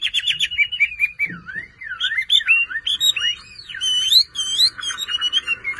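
Chinese hwamei singing a rich, fast run of loud whistled phrases, sweeping up and down with slurred notes and trills, barely pausing.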